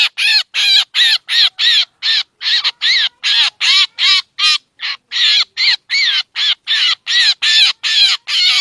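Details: Drongo lure sound for trapping: a fast, continuous run of grating, scratchy call notes, each brief, repeated almost three times a second with slight variations in tone.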